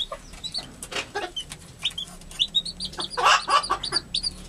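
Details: Newly hatched chicks with their hen, described as an American hen caring for her young; high, thin rising peeps come in quick bursts, with a few lower soft clucks and rustling scuffles in between.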